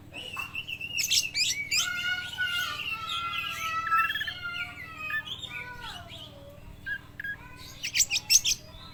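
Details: Speckled trotol oriental magpie-robin, in full voice with lovebird imitation, suitable for stimulating other magpie-robins: dense overlapping whistled phrases, rising and falling, mixed with squeaky chatter, fading out, then a few sharp high chirps at the end.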